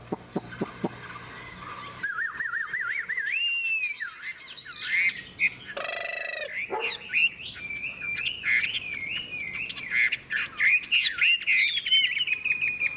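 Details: {'caption': 'Caged hwamei in a song duel: after a few clicks, a long, wavering whistled phrase builds, broken by a loud noisy burst, then resumes as rapid, ringing warbles.'}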